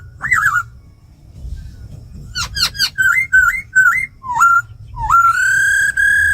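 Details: Female laughingthrush churring alongside a tame black laughingthrush singing a wild-forest style song: looping whistles, a quick burst of sharp clicks, then wavering whistled phrases ending in a long, steady, rich whistle.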